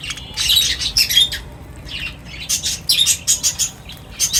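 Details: A flock at feeding time gives bright, high chirps in quick bursts, with a run of short, evenly spaced notes in the second half.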